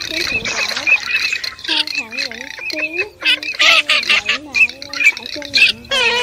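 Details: White-browed crake, recorded for night net-trapping of migrating birds, August 2023, giving harsh, nasal squawks with wavering, bending pitch in quick irregular bursts, roughly two per second, with high squeaky notes between.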